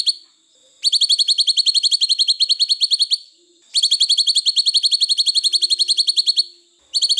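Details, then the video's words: Cucak cungkok training song with two long, rapid, buzzy trills of high, even notes, each about two and a half seconds, and a brief start of a third. "masteran cucak cungkok terbaru panjang panjang"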